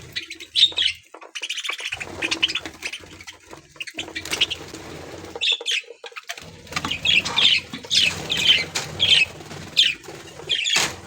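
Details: A caged budgerigar colony in an aviary, playing and eating: a long stretch of busy chirping and warbling with flapping and rustling, calls growing denser toward the end.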